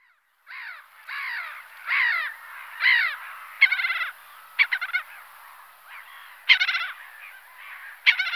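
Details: Black-headed gull (Larus ridibundus) giving a run of harsh, raspy, grating calls, roughly one each second. Longer screeching notes alternate with short clipped barks. The background is otherwise quiet.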